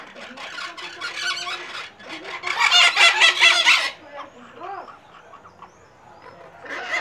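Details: Noisy flock of maitacas (pionus parrots) making a racket at a house in Santa Maria Madalena, Rio de Janeiro, Brazil, on 26 January 2014: harsh, raspy squawking bursts for four seconds, then quieter scattered calls, squawks returning at the end.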